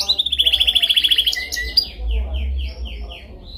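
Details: Canary singing a dominant training song: a fast, even trill of high repeated notes, a few sharp chips, then a series of slower descending buzzy notes, with a low rumbling background.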